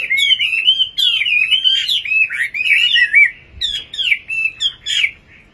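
A nightingale sings a rich, unbroken warble of slurred, whistled notes that rise and fall quickly, with brief pauses between bursts toward the end.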